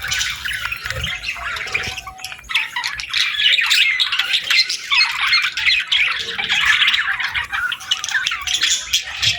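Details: Morning parakeet chatter: rapid, irregular chirps and harsh squawks from many birds overlap into a constant busy twitter, louder in the middle.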